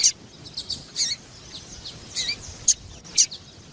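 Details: Calls from a female papa-capim (Yellow-bellied Seedeater) used to get males singing: high, scratchy chirps about twice a second, some with a lower trailing slur, against soft background hiss.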